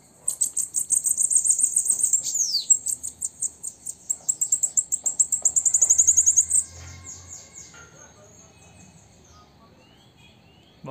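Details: Female bananaquit singing at sunset: a very high, thin, rapid trill of sibilant notes, about four per second, running steadily for several seconds, then a few fainter notes and quiet background.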